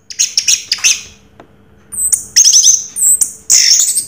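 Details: 'Raja teler' song of an orange-headed thrush. Rapid chattering high notes fade into a short quiet gap, then loud sliding whistles and harsh bursts follow in quick succession over a low background hum.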